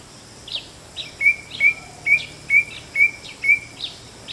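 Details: White-bellied drongo calling: a rapid series of about eight short, sharp notes with a brief upward flick, spaced roughly every half second, each followed by a fainter higher note, over a steady background hiss.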